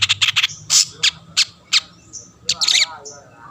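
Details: Long-tailed shrike (cendet) singing to draw rivals into song: quick sharp chips, several harsh rasping bursts and brief whistled notes with pauses between phrases.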